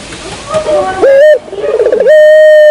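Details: Barbary dove lure call, with a soft rolling trill that gives way to a long, steady, level coo after a quieter, noisy opening.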